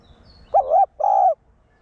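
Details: Spotted dove used as a decoy to stimulate caged birds, in the one-ending style. One phrase: a short wavering coo, then a longer, steady, low coo. The background is quiet.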